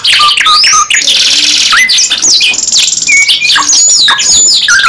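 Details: Singing canary, gacor nembak panjang style: near-continuous loud phrases of swooping whistles, a sustained buzzy trill, lower whistled notes and sharp rising chirps, barely a pause near the start.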